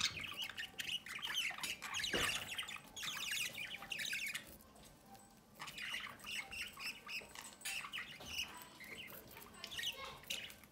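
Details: Captive budgerigar pair feeding one of their chicks from the nest entrance; harsh, raspy squawks repeat in rapid bursts throughout, rising and falling in loudness, with short gaps near the middle.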